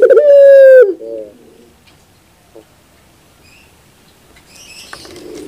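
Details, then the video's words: One long, steady, loud coo from a puter bird (Barbary dove) trailing into soft low hoots, followed by near silence and faint light noises. "sound therapy is only 5 minutes your puter bird will definitely sound"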